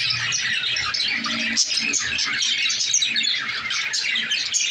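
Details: Lovebirds giving a dense, continuous chatter of shrill squawks and chirps, many calls overlapping without pause.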